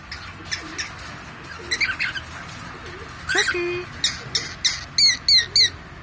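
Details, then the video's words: Pet cockatiel indoors giving soft scratchy chirps, then a run of sharp, squawky, evenly spaced chirps in the last second and a half, about three a second, over low room noise. "Funny sounds by Jackie the cockatiel"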